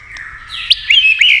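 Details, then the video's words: White-rumped shama singing against a TV. A short burst of bright, high whistled notes, with quick upward slurs and a sustained sweet tone at the end. "kích chòe lửa hót đấu với tivi cực căng lửa"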